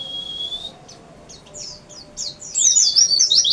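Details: White-eye: a thin steady whistle, then scattered high chirps that build into a fast, dense twittering song near the end.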